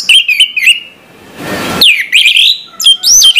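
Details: Orange-headed thrush singing in the morning: clear whistled phrases sweeping around a high pitch, with rapid slurred trills, a brief hissing noise burst midway, then more looping, rising whistles.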